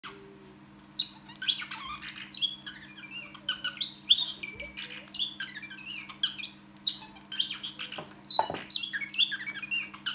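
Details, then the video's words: Pet parrotlet imitating R2D2 from Star Wars indoors: a busy run of high chirps, squeaks and rising electronic-like whistles, irregular and closely packed, over a steady low room hum. "R2D2 Star Wars imitation by Ozzie parrotlet"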